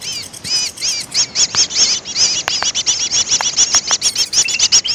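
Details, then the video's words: Greater green leafbird lure sound used for bird trapping: dense, busy chattering of high, arched chirps and short twittering notes, overlapping almost continuously, with occasional sharp downward ticks. "suara pikat burung cucak ijo paling ampuh"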